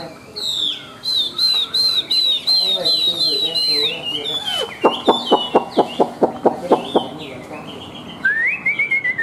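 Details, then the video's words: A white-winged, white-tailed Chinese hwamei, said to sing high and fight well, repeats a bright high whistle several times, breaks into a fast run of dry staccato notes, then ends on a rising, slurred whistle. "Họa Mi Cánh Trắng Đuôi Trắng - Hót Cao"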